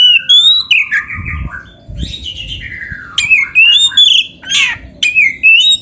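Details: Kacer (white-rumped shama) song used as a training recording: loud varied whistled phrases, rising and falling slides, sweeping notes and harsh squawky bursts in quick succession, with faint low background rumble.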